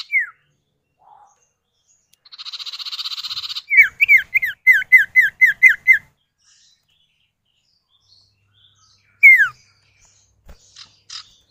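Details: Male and female common iora (sirtu or cipow) calling back and forth as a lure for captive birds: a brief falling whistle, a buzzy rattle, then a rapid series of about eight downslurred whistled notes, one more falling whistle later.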